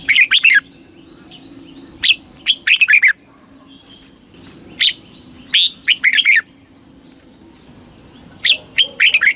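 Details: Red-whiskered bulbul in Thailand gives southern master-style song, played to stir caged birds and teach young birds: four lively phrases of quick, rising and falling whistles, plus a few single notes between them.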